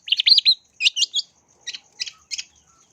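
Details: Long-tailed shrike lure recording for bird training: opening run of looping whistled slurs, then a few sharper notes, ending with three spaced raspy double chirps and a steady high hiss.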